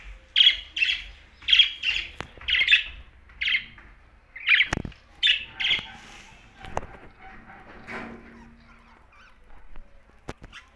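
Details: Budgerigars, pet parakeets, chirping: a run of short harsh squawky chirps roughly every half second for five seconds, then softer scattered chatter and clicks.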